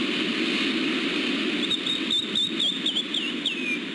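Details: A bald eagle at the West End nest, on a rock outcrop about 100 m above the Pacific at Santa Catalina Island's western tip, California, 3 April 2016, 5–6:10 pm, during a nest swap between the pair, gives thin, high chittering piping notes, the last slurring downward, over wind or surf roar.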